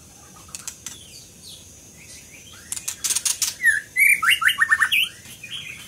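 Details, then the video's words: Scarlet minivet singing: a burst of bright, sharply inflected whistled notes in quick succession, rising and falling, preceded by scattered clicks and sharp high ticks. "Lửa siêu hót"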